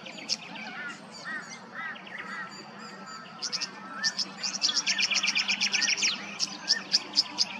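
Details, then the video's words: Tawny grassbird calling in Queensland, Australia: soft downslurred chevron notes early on, then a fast run of sharp high chips repeated about twice a second, with other birds overlapping and a low steady background hum. "The most pristine sound of the Tawny Grassbird's call"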